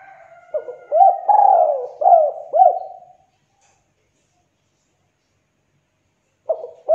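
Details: Spotted dove cooing, recorded as a lure to stimulate reluctant doves to call: a low hooting phrase of short rising notes and one drawn-out cooing note, then about three seconds of silence before another phrase begins.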